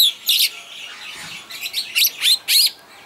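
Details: Superb starling singing in the bird park at Walsrode, Germany: a rapid run of bright, harsh chattering notes and short buzzy bursts, with quick rising and falling slurs, about a dozen notes packed into three seconds.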